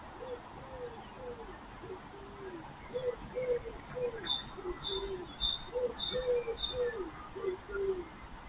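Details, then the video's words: Common cuckoo heard in spring, the first of the year, while a wild urban fox feeds at breakfast: soft two-note falling cu-coo phrases repeated roughly every second, with thin high chirps of another bird and low background rumble. "the sound of the first Cuckoo of the year"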